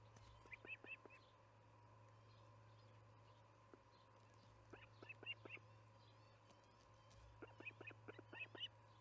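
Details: Ospreys at a nest in Charlo during evening feeding, July 9, 2019, 6 pm MDT: three spaced groups of short, high chirping whistles, each group of about three to four notes, with a steady mechanical hum underneath.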